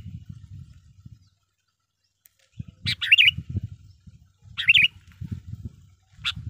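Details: Sooty-headed bulbul song, played as a lure for wild bulbuls. Two bubbly, wavering phrases about two seconds apart, then a single chirp, against a steady low rumbling noise.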